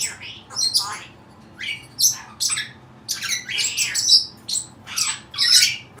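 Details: A pet Cape parrot making odd sounds: loud grating squawks and buzzy chatter notes, roughly forty a minute, coming in uneven bursts with brief gaps between them.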